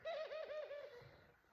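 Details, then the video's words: Female pet ringneck dove indoors, moving off across the room, uttering a quieter rolling coo that wavers up and down in quick pulses for under a second before trailing away, with soft room noise. "my pet ringneck dove cooing!"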